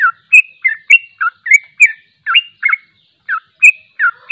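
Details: Sooty-headed bulbul giving a long, rapid 'ropel' song, recorded unedited and used for training other bulbuls: quick run of clear slurred whistled notes, some rising and some falling, about three per second, with a short pause near the end.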